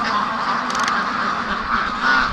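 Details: Free-range domestic ducks, worked up and eager to be let out for their morning rush to a lake on a sunny, windless October 24th, keep up a dense chorus of overlapping nasal quacks, with a brief rattling noise partway through.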